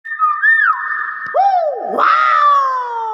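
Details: Nias hill myna giving loud, pure whistles with no background. A level tone is followed by a dipping slide, then a swooping note. It ends in a harsher, long descending drawn-out call.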